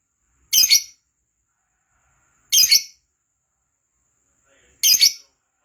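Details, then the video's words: Lovebird in full, lively voice, recorded as a lure to prompt other lovebirds to sing: three sharp, harsh, high chirps, each doubled, spaced about two seconds apart with silence between. "Lovebird Gacor Pancinagan Suara Lovebird Agar Cepat Gacor Kicau LOVEBIRD"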